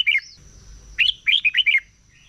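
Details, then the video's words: Red-whiskered bulbul singing in a morning competition-training session: a brief warble, a pause, then a rising note followed by four quick looping whistled notes. "Chào Mào Hót Đấu || Kích Chào Mào Hót Sáng Luyện Giọng Bổi Hót Đấu Căng Lửa"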